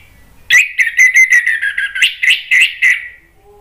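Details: Orange-headed thrush lure song, aimed at provoking other birds to sing back: a steady, mellow whistled line broken into roughly a dozen quick pulses over nearly three seconds, pitch staying fairly level before trailing off.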